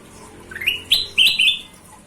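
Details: Golden-vented bulbul in chatty song meant as a training recording: a brief phrase of four clear whistles, the first rising and the last two slurred and warbling, over a faint steady hum.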